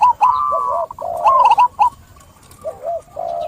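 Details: A long, steady coo from a zebra dove leads into a quick run of clipped notes, then soft, looping coos that fade into quiet.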